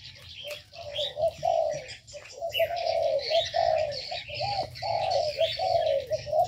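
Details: Inside an aviary, short low coos follow one another in a steady chain, with scattered high chirps, clicks and twitters from other caged birds in the background.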